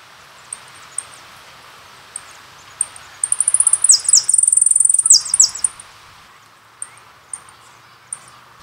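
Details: Jilguero from a song CD: scattered thin high chips, then a brief burst of rapid trilled and buzzy high notes lasting about two seconds, fading back to isolated chips over faint background hiss.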